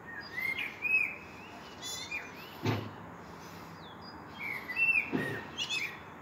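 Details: Common blackbird at sunset giving low, fluting whistled phrases, each ending in a thin high twitter, repeated twice, with a sharp knock-like thump between phrases over soft outdoor hiss.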